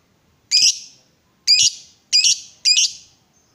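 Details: Excited lovebird giving four harsh, broad screeches, each about a quarter second long and spaced roughly half a second to a second apart.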